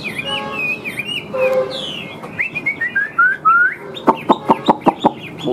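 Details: Large caged Chinese hwamei with yellow legs and bill singing: a run of clear whistled notes gliding up and down, some rising slurs, then a burst of six sharp rapid harsh pulses near the end.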